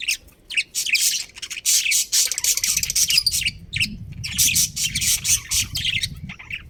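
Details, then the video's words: Budgerigars, a breeding pair in a colony, keep up loud, scratchy, high chattering in long irregular bursts over a faint low rumble. "Cute Budgies Chirping Sounds"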